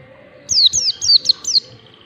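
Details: Single burst of five bright, descending slurred whistles from a mountain white-eye singing ngalas style, the song used to train birds, delivered fast within about one second.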